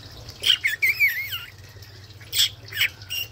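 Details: Male rainbow lorikeet visiting an Australian garden, curious and close to a fish tank for the first time: harsh, buzzy squawks and a wavering screechy note, in short bursts with pauses between.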